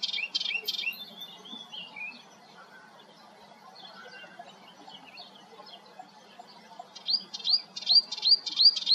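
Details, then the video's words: Melodious warbler singing at Hegenheim, France, in June: a rapid burst of chattering, varied notes at the start, a quiet pause, then a new phrase of repeated rising, slurred notes building toward the end. "Melodious Warbler - Orpheusspötter - Hippolais polyglotta - singing"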